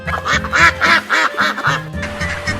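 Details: Duck quacking in a series of about six short, nasal, harsh bursts roughly every quarter second, over steady background music.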